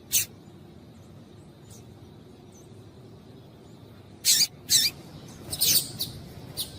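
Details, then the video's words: Calling female coleiro seedeater, used to warm up a male so he sings: scattered short, high, sharp chips with long quiet gaps, then a closer cluster of four notes and one final soft chip. "Piado de Fêmea de Coleiro Para Esquentar Coleiro"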